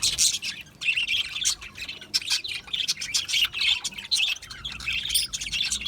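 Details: Budgerigars, small Australian parrots kept in an aviary, chattering continuously with dense high warbling chirps and clicks, several birds overlapping without pause.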